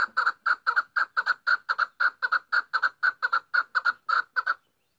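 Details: Female chukar partridge gives a loud, steady run of harsh clucking notes, often in pairs, repeating about twice a second for four and a half seconds before stopping abruptly. No other sounds.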